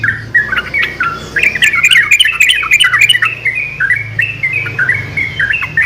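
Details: Yellow-vented bulbuls singing back and forth in lively, gurgling whistled phrases, busier and more jumbled in the first half and sparser later, over a steady low background rumble.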